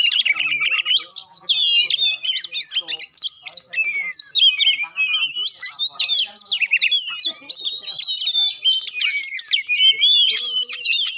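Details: Magpie-robin song, played to provoke a reluctant bird into singing: a loud, rapid, varied stream of high whistles, trills and sharp chirps, with the phrases tumbling together without pause.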